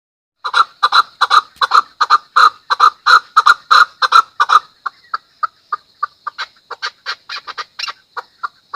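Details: Chukar calling in a fast run of harsh, clucking chuk notes, about two to three per second. Loud, evenly spaced bursts fill the first half, then give way to softer, more scattered and uneven notes.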